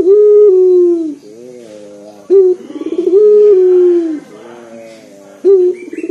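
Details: A lure bird, a local collared dove with a loud, deep voice: sustained low coos that slope downward, each started by a brief abrupt rattle, in a steady rhythm.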